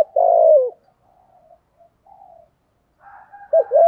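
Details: Decoy spotted dove giving prompting coos in the 'giọng thổ' voice style: one loud, rough, slightly falling coo, a pause filled with soft low murmurs, then two short hooked coos at the end.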